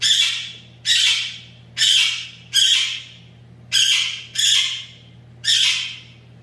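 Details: A blue-winged amazon, a newly identified Mexican parrot species with a distinctive call, gives harsh, raspy squawks, seven in about six seconds, each a short rough burst that trails off, over a faint low hum.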